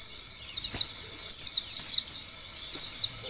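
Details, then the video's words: Oriental white-eye prompting song for drawing other white-eyes into song: three short bursts of high, quick descending chirps, each under a second, spaced by quiet gaps. "Biasanya pleci lain akan bunyi dan gacor bila mendengar pancingan pleci seperti ini."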